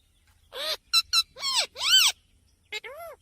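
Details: Pet parrot, a talking Mithu, producing a quick string of harmonic, speech-like syllables: a rising-falling note, two short clipped bursts, two longer arched wavering calls, then a brief pause and a final short pair.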